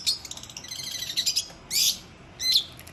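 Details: Long-tailed shrike song of quick, scratchy high chatter followed by two longer harsh, raspy bursts about a second apart.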